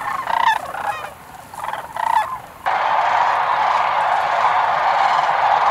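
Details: Sandhill cranes in Nebraska in 2019 give loud, rolling, rattling bugles in quick bursts, then the sound cuts to a dense, steady roar of a large calling flock.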